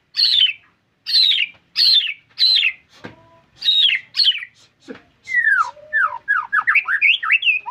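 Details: White-rumped shama giving loud downslurred whistles in a steady series, then a fast tumbling sequence of varied slurred, warbled notes rising and falling in pitch.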